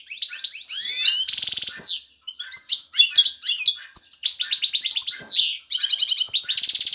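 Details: Male European goldfinch, ready to breed, singing excitedly to attract a female for mating and nest building: fast, high twittering with buzzy trills, sweeping notes and rapid ticking runs, barely pausing over seven seconds.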